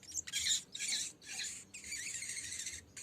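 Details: Lesser green leafbird song used as a lure to make birds sing quickly, calling a rival: a dense, almost unbroken stream of high, chattering, warbled notes in several rushing phrases with brief gaps.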